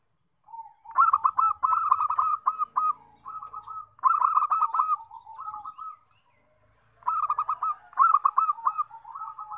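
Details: Zebra dove song played to lure wild doves: three bursts of rapid, stuttering coos around a mid pitch, each a quick run of staccato notes rolling into a longer purring trill, separated by short pauses.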